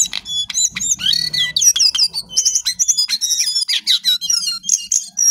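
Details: Lesser shortwing, locally jongkangan or cingcoang coklat, in full song: quick high whistles, sharp chips and sweeping slurred notes strung tightly together, over a soft low humming background.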